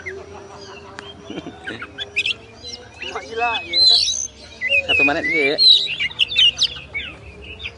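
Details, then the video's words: Oriental magpie-robin song from a masteran tutor recording of winning kacer birds: scattered clicks, then loud sweeping whistles and wavering warbled notes, mixed with lower wavering sounds in the middle. "SUARA BURUNG KACER, MASTERAN PARA JUARA"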